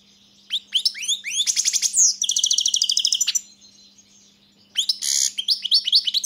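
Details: A European goldfinch in full song, chirps building into a dense, tinkling twitter with a buzzy, trilled middle section, then a brief silence before a harsh buzzy note and more quick liquid twitters.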